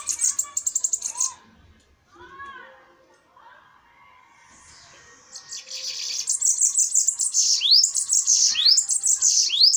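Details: Bananaquits in a fighting duel: a high buzzy trill opens, then softer lower chirps and a lull, then rapid, thin, wheezy song with repeated upward sweeps builds to the end.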